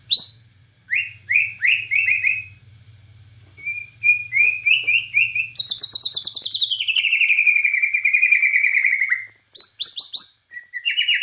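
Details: Bornean white-rumped shama singing energetically in the 'nembak cililin' style: bright whistled notes, rapid repeated chirps, then a long descending slurred phrase and sharp rising whistles, over a faint low hum.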